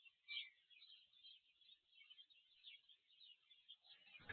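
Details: Spanish sparrows at a black stork nest on a nest camera at Tajo Internacional, Spain, 27 June 2024, where they build ball-shaped nests. Faint, continuous high chirping chatter from several birds, ending in a loud thump.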